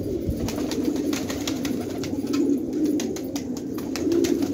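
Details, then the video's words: Many fighting tumbler pigeons in a village in Khanabad, Afghanistan, cooing together in a steady low murmuring chorus, with scattered sharp clicks and taps throughout. "کفتر های جنگی پرشی در خانه آباد"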